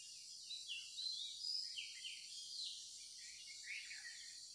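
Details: Morning chirps from birds: a loose series of brief swooping notes, a few bright whistles among them, rising and falling irregularly against an unbroken high hissing drone.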